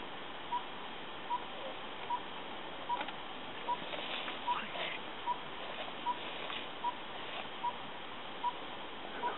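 A tinkerbird gives a monotonous series of short, mid-pitched tink notes, just over one a second, steady throughout over soft background hiss.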